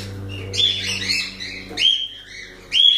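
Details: Cockatiels give long, squawky, wavering calls, then two sharper rising whistles. A low droning tone runs beneath the first half.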